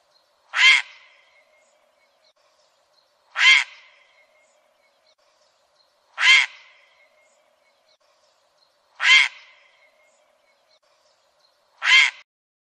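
A demoiselle crane gives a loud, rolling, trumpet-like call, repeated five times at an even pace about every three seconds, with near-silence between calls.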